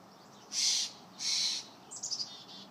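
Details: Juvenile Steller's jay demanding peanuts with its "give me noms" begging call: two loud, harsh, hissing rasps about half a second apart, followed by a quick run of thin, high chirps.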